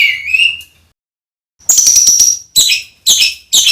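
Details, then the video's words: Rough fill-in song from a songbird used as a master for competition birds: a rising whistled note, a pause, then a thin high sustained note and three short harsh bursts. "SPESIALIS ISIAN KASAR ! suara tembakan kasar untuk masteran || MASTERAN BURUNG LOMBA"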